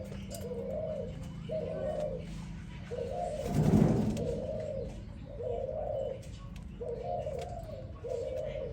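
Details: Spotted dove cooing in the morning: soft, low hooting phrases repeated in short bursts, half masked by a steady low rumble, with one loud thump midway.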